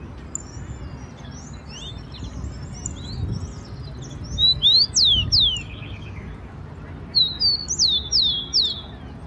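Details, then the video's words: Rufous-collared sparrow, wild, in a Brazilian park or garden with trees, singing: high thin whistled notes, then loud downslurred and rising clear whistles repeated in short bursts, over low background rumble. "O CANTO DO TICO-TICO SEUVAJE"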